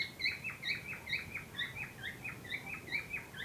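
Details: Cockatiel pair said to be ready for breeding: a steady series of short chirped notes, repeated about twice a second, each with a bright upper overtone, over a faint low background hum.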